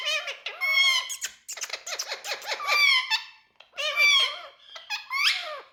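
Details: Parrot in India, one of the talking parrots, delivering loud, rich squawking calls in three main bursts separated by short pauses, each burst made of rapid, rasping, downward-bending notes.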